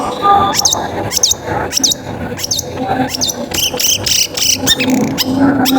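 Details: Long-tailed shrike lure song, used to prompt other shrikes to sing: sharp, high whistled notes sliding steeply downward, repeated about every half second, over a steady low hum and background noise.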